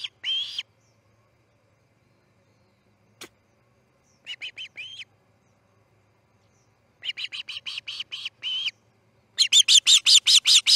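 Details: Osprey at the Charlo nest as a chick fledges, 6:03 am on August 10, 2018: scattered bursts of whistled chirps separated by silent gaps, ending in a loud, fast run of piercing notes.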